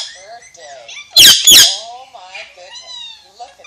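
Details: Alexandrine parakeet mixing chattered, voice-like mimicry with two sudden harsh squawks in the middle, then more soft mumbled talking.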